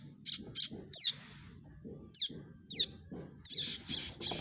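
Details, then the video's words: Prinia chick calls for luring birds to a trap: a few high, piercing chirps and steep downward squeaks at irregular intervals, the last notes longer and buzzier, with a noisy low background. "suara panggilan anak burung prenjak untuk pikat"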